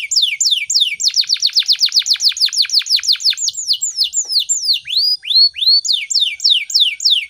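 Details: Canary singing hard in the morning as a trigger song for other birds to learn: a long, nearly unbroken stream of bright, downward-sweeping whistles, about four per second, with a few rising slurs near the end.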